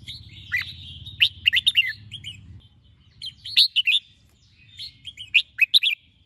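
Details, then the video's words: Morning "ché" song of a red-whiskered bulbul, meant to rouse young birds to sing: three rapid phrases of quick, bubbling chirps, with a low rumble in the first seconds. "chào mào hót sáng QUÁ HAY - CHÉ KÍCH BỔI CĂNG ĐÉT"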